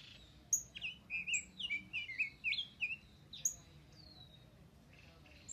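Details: Rose-breasted grosbeak, a kept bird singing contentedly: a rich, rapid warble of sweet slurred notes lasting about three seconds, followed by a sharp high note and a thin descending whistle, over a quiet background.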